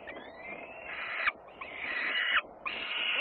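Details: Peregrine falcons in Włocławec, Poland, on a Sunday afternoon, 6 June 2010: three long, harsh, wailing screams, each lasting about a second, separated by short gaps, with a faint background hiss.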